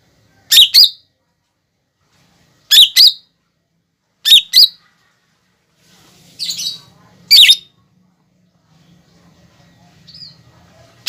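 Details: Lesser green leafbird (cucak ijo) on a masteran training track, showing off mimicked fighting-sparrow, lovebird and sunbird notes: sharp doubled chirps repeated about every two seconds, separated by quiet gaps with faint low hum.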